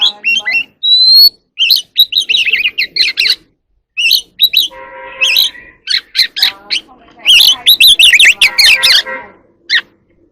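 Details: Wild oriental magpie-robin singing in the evening during its dancing display. Long varied phrases of whistles and warbles are broken by harsher buzzy, harmonic calls. A dense burst of rapid notes comes near the end.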